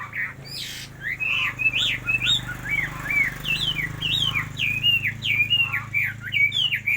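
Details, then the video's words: Chinese hwamei repeating clear, looping whistled notes, each a quick upward then downward slur, delivered in a brisk, evenly paced string. "Hào mi hót nhất mường nhé"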